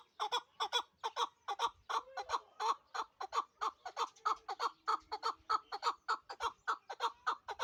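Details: Chukar partridge of Pamir stock, a hunting bird in Dushanbe: a steady, rhythmic series of loud, hoarse chuk-chuk notes repeated nearly twice a second for the whole stretch, with no other clear sounds.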